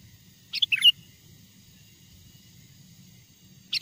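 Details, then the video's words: Sooty-headed bulbul, a wild bird's song used as a lure call to draw wild bulbuls closer: one short, bubbly phrase of quick high chirps and a liquid downslurred whistle, then the start of another at the end, over faint low hum. "SUARA PIKAT BURUNG KUTILANG GACOR, PANGGILAN KUTILANG LIAR AGAR MENDEKAT!!"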